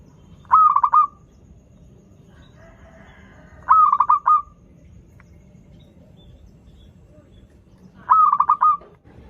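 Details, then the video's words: Local zebra dove singing often, a lure for doves learning to sing: three matching phrases about every four seconds, each a clear note and a fast rolling stutter, with faint rustling between. "PERKUTUT LOKAL GACOR Suara Merdu || pancingan paling disuka perkutut yg belajar manggung"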